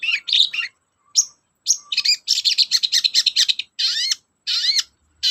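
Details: Long-tailed shrike singing to prompt silent shrikes to start calling: dense, energetic runs of harsh, buzzy chatter and looping upslurred whistles, delivered in tight bursts with brief silences.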